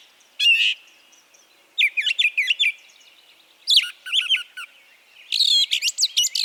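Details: Spring song of a Brown Thrasher in Harvey County, Kansas, which repeats phrases before moving on; four bursts of rapid, harsh chirps and slurred notes, each a second or less, spaced by quiet pauses over a low hiss.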